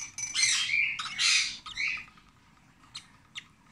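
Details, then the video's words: Twenty-six-day-old Rosy-faced lovebird chick during hand-feeding: a few loud, grating squawks in the first two seconds, then quiet with two faint clicks. "コザクラインコの雛 生後26日目"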